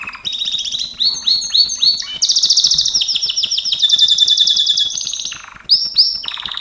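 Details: Singing Gloster canary during training: quick rising chirps give way to a dense rolling buzz, then a lower whistled dip and bright repeated notes, delivered without pause over steady faint clicks.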